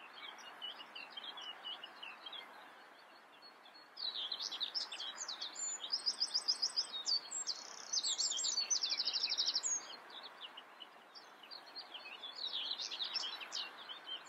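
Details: Common whitethroat singing: short scratchy, jumbled high phrases separated by pauses, with a fast run of evenly repeated notes mid-clip, over a steady broad background hiss.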